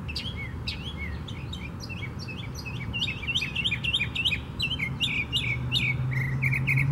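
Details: Northern mockingbird singing at Tattnall Square Park, May 11, 2015: fast, tumbling series of sharp chirps and slurred whistles, several per second, some repeated in small sets, against continuous low background rumble.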